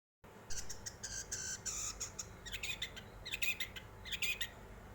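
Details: Long-tailed shrike song used as a lure to provoke other birds to sing: bursts of harsh, buzzy chattering notes in quick irregular runs, with pauses between phrases, fairly faint over a steady background hiss.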